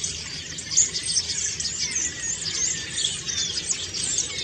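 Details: Autumn song of a common starling, sung while preening: rapid jumbled squeals, rattles and thin whistles with a few louder accents.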